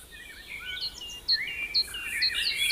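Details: Olive-backed sunbird singing in fighter style, a quick jumble of short high whistled notes, some sweeping up or down, packed closely together and growing louder toward the end.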